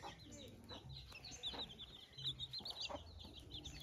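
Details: Live farm hen that hatched many newly born chicks, calling to them; dense high, thin peeping from the chicks repeats throughout, with a few soft low clucks underneath and faint background noise.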